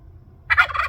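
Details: Wild turkeys on Orcas Island, visiting a patio in late April 2024, give a loud, rapid, rattling gobble that bursts in after a half-second of quiet and rolls on in quick pulses to the end.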